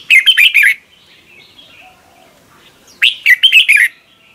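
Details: Red-whiskered bulbul singing in the morning, recorded for training other bulbuls: two bursts of loud, rich warbled phrases with quick rising and falling notes, separated by about two seconds of quiet with faint background twittering.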